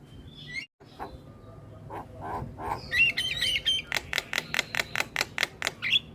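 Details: Starling lure song meant to draw in other starlings: soft mumbled notes building into a bubbling whistled phrase, then a steady series of sharp clicks about two per second ending on a whistle.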